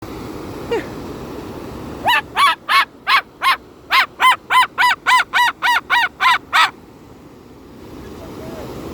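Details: Captive Moluccan cockatoo at Bow Falls in the Rockies, reacting to a roaring waterfall: a rapid burst of about thirteen harsh, even, nasal honks, roughly three per second, over steady rushing water, followed by a brief voice.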